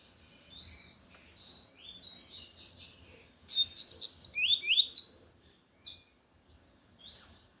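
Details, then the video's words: A lined seedeater sings forcefully in the Tui Tui manner: soft scattered chirps at first, then a bright burst of rapid, steeply slurred whistled notes near the middle and a final short flourish. "Coleiro de gola Tui Tui cantando forte"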